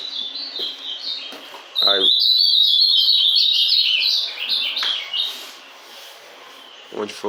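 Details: A captive azulão, or ultramarine grosbeak, recently through its moult, pours out a long, dense stream of rapid warbling whistles, with brief bits of a man's Portuguese speech before and after.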